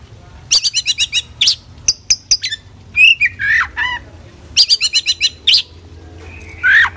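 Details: Oriental magpie-robin (kacer) singing a full 'isian' song of fill-in phrases: rapid bursts of sharp high chirps and ticking notes alternating with lower slurred whistles and rising whistled sweeps, delivered in quick volleys with brief pauses.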